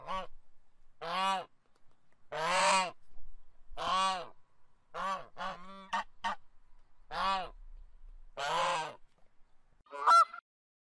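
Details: A farm goose gives loud, nasal honks, about eight in ten seconds at an uneven pace, each a harsh, rich blare.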